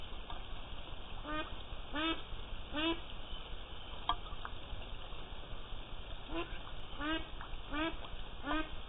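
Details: Young ducks about six and a half to seven and a half weeks old, recorded while raining: short, nasal, downward-slurred quacks in small bursts, several in quick succession, over steady rain noise.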